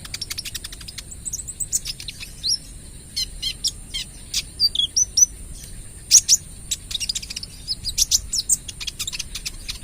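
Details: Kolibri ninja sunbird, trotol bird, singing busily in the rapid-fire 'AK 47' style used as a lure. Dense bursts of very high, sharp ticks and short descending squeaks come in quick succession over ten seconds.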